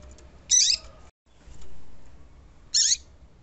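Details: Female papa-capim calling, used to make males sing: two short, high, buzzy chirps about two seconds apart over a quiet background hiss.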